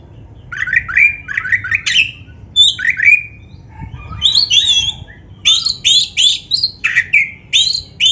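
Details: Black-breasted Oriental magpie-robin singing, used as a lure and training tutor for caged birds: varied run of whistled notes, rapid chattering clusters, then a pause and loud high upswept whistles, repeated in bursts.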